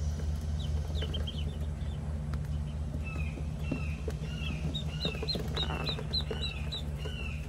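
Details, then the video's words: Penciled Call ducklings on a farm giving thin, high peeps, several short rising and falling whistled notes in a loose cluster toward the end, over a steady low mechanical hum. "Penciled Call Ducklings"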